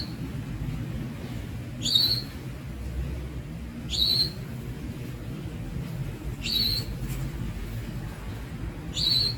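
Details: Young Javan Munia (Lonchura leucogastroides) repeating a high, thin, upslurred call about every two and a half seconds, four notes in all, with constant low rumble behind.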